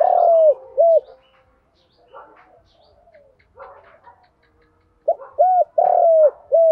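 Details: Spotted dove cooing, 'giọng đồng' style, played to train newly caught birds: a long and a short soft hoot, faint scattered sounds, then a quick run of several hooting coos at the end.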